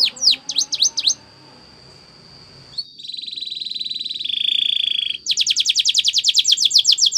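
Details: Spanish Timbrado canary training song: rapid high trills of downswept notes, a sustained pure whistle, then a buzzy rolling trill and a fast pulsed series of sharp repeated notes.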